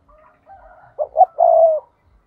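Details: Decoy spotted dove giving the urging 'thúc' call used to lure wild doves for trapping: two short, low, hollow coos followed by one drawn-out, level coo, with faint soft bird notes before it.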